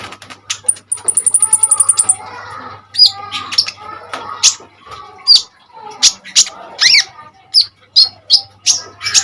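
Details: Common iora singing to serve as tutor for other birds: a fast very high rattling trill, then scratchy chatter and sharp looping whistles spaced about a second apart, low hum underneath.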